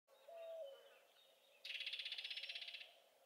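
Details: Yellow-breasted Chat singing at Cibola NWR, Arizona, on 7 June 2020: a low, clear whistle, then a rapid, bright rattle of about twenty quick notes over a second.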